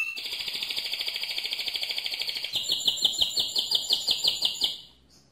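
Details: Powerful mosaic canary song: a dense buzzy trill for over two seconds, then a slower, louder pulsed trill of about three notes a second before fading.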